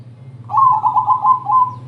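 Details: Zebra dove singing a crossing-style song meant to lure other doves into singing: a quick run of about six soft, rolling coo notes around one pitch, lasting just over a second, over a low steady hum.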